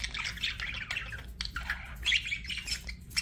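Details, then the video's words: Budgie chirping, softer and a bit more distant: steady scratchy warbles with a few clear, fast rising squeaks toward the end. "BUDGIE CHIRPING SOUNDS"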